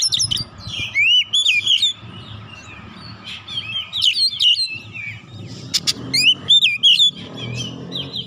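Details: Agitated kacer, or oriental magpie-robin, bursting through its mimicked repertoire as a provoking lure: rich bursts of whistled slurs, sharp upswept notes and scratchy trills in clusters, with brief pauses and faint low rumble beneath.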